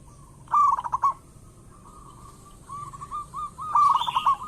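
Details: Local zebra dove (perkutut lokal), a lure recording to prompt doves to sing: bursts of fast bubbling coos alternate with softer, steady rolling trills at a single pitch, ending in a louder purring phrase.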